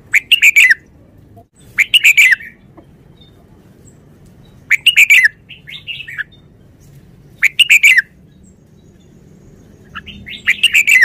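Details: Caged red-whiskered bulbul singing its short-song style: brief bursts of rapid, chirpy, slurred notes, repeated about every two and a half seconds, with a lower warbled phrase between two bursts and quiet pauses.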